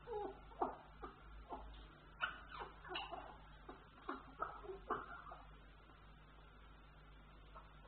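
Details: An African grey parrot showing breeding behaviour gives a quick series of short, raspy squawks and growly chatter for about five seconds, then falls quiet over a steady low indoor hum.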